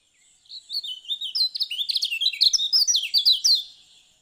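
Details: Singing lemon-bellied white-eye of Lombok delivers a long, rapid medley of high twittering notes, sharp upslurred and downslurred whistles tumbling together for about three seconds.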